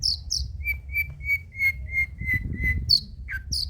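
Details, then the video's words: Long-tailed shrike song in old-style material, used to stimulate and tutor birds: a run of seven even, short whistled notes repeated steadily, opened and closed by higher sharp slurred chips, over a low rumbling background. "BURUNG CENDET MATERI JADUL BONGKAR MATERI MEWAH, COCOK UNTUK PANCINGAN DAN MASTERAN PENTET TROTOL"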